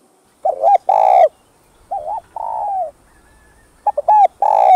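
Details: Spotted dove cooing as a lure to provoke wild doves, full set of calling, urging and bowing coo styles: three phrases, each a short double hoot followed by a long, loud, slightly falling coo, with pauses between.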